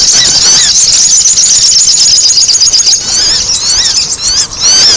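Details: Sogon sunbird chatter meant to attract birds. A thin, sharp twitter with a quick succession of rising slurs, nearly three per second, that thins briefly near the end before bursting again.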